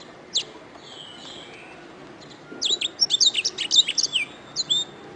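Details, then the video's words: Canary song used as masteran tutoring material: an isolated high chirp and soft whistle, a pause, then a dense burst of sharp, high chirps and rising notes near the end. "SUARA BURUNG - Masteran Terbaik Kenari"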